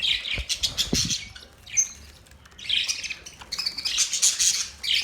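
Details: Budgerigars chirping in three lively bursts of high, grating warble separated by short quiet gaps, with a couple of knocks at the start.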